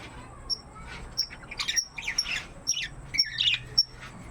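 Budgerigars chatter with rapid scratchy squawks and bright repeated chirps.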